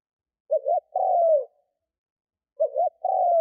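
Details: Spotted dove used as a decoy for wild doves gives two phrases, each a paired short hoot followed by a sustained, gently falling coo, about two seconds apart, in silence.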